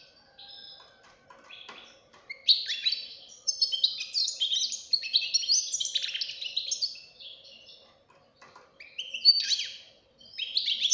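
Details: Juvenile European goldfinch, said to sing like an adult: a few hesitant notes building into long rippling twitters and buzzy trills, a brief pause, then more lively bursts.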